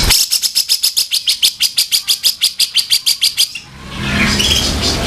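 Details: Tutor song of a black-crested bulbul, rough 'kasaran' type: a fast train of about twenty clipped, ringing chirps at a steady pace for three and a half seconds, then a wash of hissy noise.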